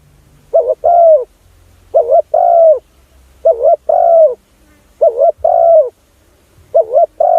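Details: Lure call of a spotted dove, used to draw in other doves: rhythmic, closely spaced coo phrases, each a clipped double hoot followed by a fuller descending coo, repeated about five times.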